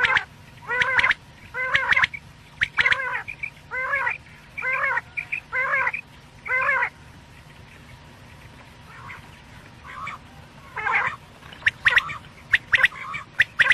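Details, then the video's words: Quail calling, meant for night use, Pakistan, in a quail hunting setting: a series of nasal, stacked, quacky notes about once a second, followed later by sharp, clicky notes in quick pairs and triplets. "quail sounds/ batair ki boli | Batair ki Awaz rat k lia"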